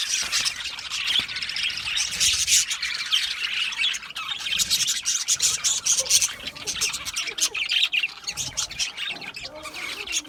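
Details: Several budgerigars in a small home setup chatter continuously in a dense, scratchy warble with frequent sharp squawks and chirps throughout.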